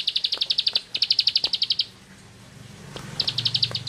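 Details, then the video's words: Bar-winged prinia (ciblek sawah) in ngebren style: three quick runs of high, clipped notes, the last coming after a pause of over a second with a faint low hum. "Suara Burung Sawah Receh Nembak Ngebren // Ciblek Sawah"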